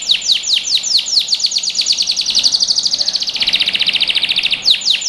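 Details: Domestic canary singing, meant as a lesson for young birds: a steady chain of bright, sharply falling notes that speeds into a dense rolling trill, then resumes the descending chirps at the end.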